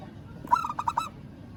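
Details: Single brief phrase from a local zebra dove calling a rival: a swelling opening note broken into four or five quick, evenly spaced staccato coos.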